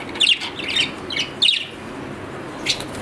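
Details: Budgerigar, Australian parrot, uttering a few scratchy high chirps spaced about half a second apart, then a pause and one last short chirp.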